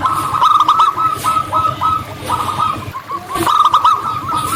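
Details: Local zebra doves singing in the wild: overlapping runs of fast, trilling coos blend together almost continuously, with a rustling, noisy background.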